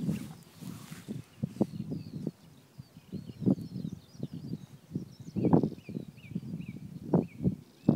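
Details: Black grouse bubbling low and continuously, with louder pulsing peaks, in the eastern Ore Mountains on 3 April 2016, recorded through a spotting scope with an iPhone 4. Repeated small-bird chirps and twitters sound above it.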